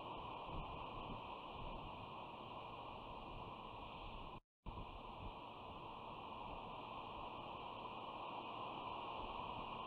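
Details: Quiet, even hiss with steady noise bands and a short silent gap midway; no animal calls.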